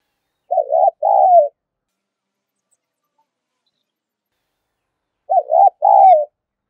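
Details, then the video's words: Decoy cooing of a spotted dove used to lure wild doves: two short two-part coo phrases about five seconds apart, each a quick wavering note then a longer falling one, with quiet gaps between. "Tiếng chim cu gáy kích bổi thúc gù và gáy gọi"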